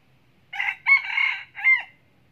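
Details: Frequent-crowing red junglefowl decoy rooster, Bình Phước province, Vietnam, gives a single crow: brief first syllable, drawn-out harsh middle section, closing note that drops in pitch; faint low hum in the background.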